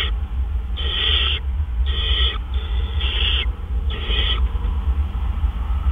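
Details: Owl sounds recorded before dawn on 12 April 2013 during a male's food delivery. Four rasping, breathy screeches about half a second long come at even intervals against a constant deep background hum.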